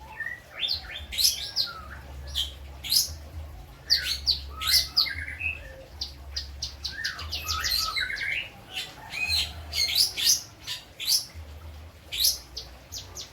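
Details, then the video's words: Lovebird kept in Indramayu, West Java, its song trained with kapas tembak and citblek phrases: dense run of piercing high chirps, short twitters and brief whistled notes, steady low electrical hum beneath. "BURUNG LOVE BIRD ISIAN KAPAS TEMBAK DAN CITBLEK"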